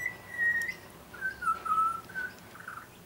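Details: Young butcherbird visiting a garden gives a few long, smooth whistles, the first higher and held steady, the later ones lower and slightly wavering, close and clear.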